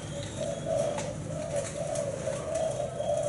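A zebra dove gives a steady run of soft, low, rolling coos, warbled and pulsing without pause, over a faint background hum.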